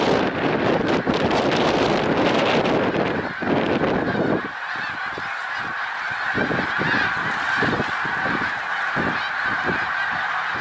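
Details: Snow geese gathered at Middle Creek Wildlife Refuge in Pennsylvania, 1 March 2021. A roaring, rushing noise covers the first four seconds, then the flock's continuous yelping honks carry on clearly beneath it.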